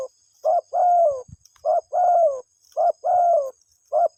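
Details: Three clear phrases of a spotted dove calling its mate, each a short coo followed by a long, slightly falling hoot, repeated about once a second over a faint high hum.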